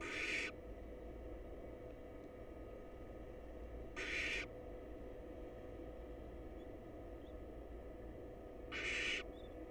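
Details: Huddled wild barn owl nestlings in a monitored nest box call while awaiting their next meal: three rasping hisses, each about half a second, spaced around four seconds apart, with a steady low hum throughout.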